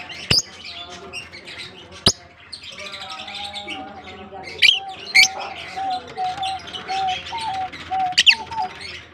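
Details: African lovebirds kept as a colony in Larkana fill the air with dense high twittering, broken by sharp clicks and loud squeaky shrieks, while a faint wavering tone runs underneath.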